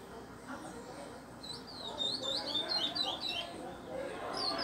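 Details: Curió (Chestnut-bellied seed finch) in captivity being taught the Pardo song style: a short burst of quick high whistled notes in mid-phrase, slurred up and down, over low room hum.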